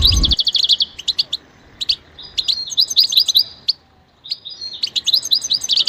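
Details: Goldfinch song: a rapid trill opens, followed by sparse twittering chirps, a short pause, then more high tinkling notes.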